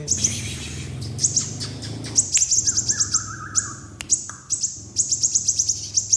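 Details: Crimson sunbird giving rapid, very high, sharp ticking chirps in quick bursts, some strung into fast runs, over a steady low hum, with a brief lower wavering tone midway.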